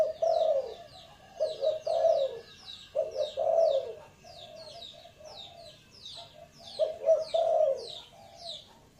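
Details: Low husky cooing of a spotted dove in short broken phrases, some notes doubled, with a gap midway, accompanied throughout by rapid high-pitched chirps from a second bird.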